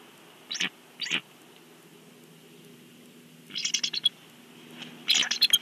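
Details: Bald eagle at its nest in Big Bear, recorded by a live nest camera: short, high, squeaky chirped bursts, two close together, then a quick stuttering run of piping notes and another shrill cluster near the end.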